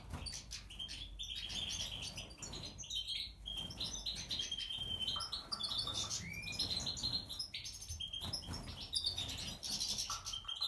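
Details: Aviary goldfinch in breeding condition, Major type with natural, white-head and brown pastel split mutations, singing a dense, continuous twitter of high tinkling notes, a few clear whistled slurs and buzzy trills, with faint low background rumble.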